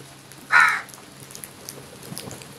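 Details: A single harsh caw from a crow in a huge flock descending on food, one short loud burst standing out above a faint patter of background noise.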